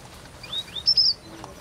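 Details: Wild red avadavat (Amandava amandava), possibly in grassland, giving four or five thin, very high chirps, some sliding upward, packed into about a second over faint outdoor hiss.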